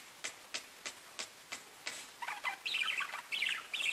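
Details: Pet budgies chirping: a run of evenly spaced sharp clicks, about one every third of a second, then breaking into dense, high, bubbling chatter that fills the second half.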